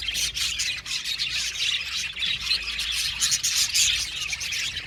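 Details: Budgerigars in an aviary colony chirping together: a dense, continuous chorus of high, scratchy chirps and squawks overlapping without pause, with some louder bursts near the end.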